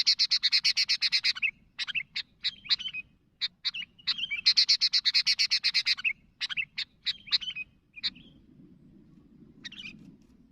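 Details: Lively sooty-headed bulbul calling to companions. Two fast runs of rapid chirps, each followed by scattered sharp notes, then the calling fades into a low rustling background.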